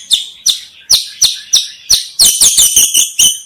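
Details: White-rumped shama giving a series of sharp, high chirps, about one every third of a second, growing quicker and denser toward the end, with no other sounds.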